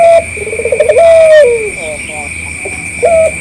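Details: Local collared dove (puter lokal), an eager caller, recorded as a lure to make other doves answer: a quick rolling burst of pulsed notes rising into a long, smooth drawn-out coo that falls at the end, with a steady high electronic whine behind.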